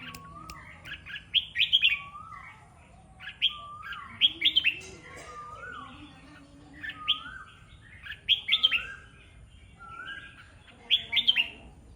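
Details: Red-whiskered bulbul kept in a cage, out in the early morning dew, repeating lively warbled phrases about every two to three seconds. Each phrase opens with a lower whistled slur and rises into quick bright notes.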